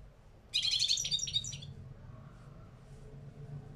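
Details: A caged two-year-old European goldfinch of the small parva race sings a one-second burst of rapid, liquid, high-pitched twittering and tinkling notes, then falls quiet over a low background hum.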